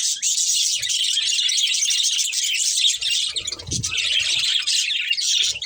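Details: Budgerigar breeding pair in constant, intense chatter: an unbroken wash of rapid, grating high warbles with a short low rumble partway through.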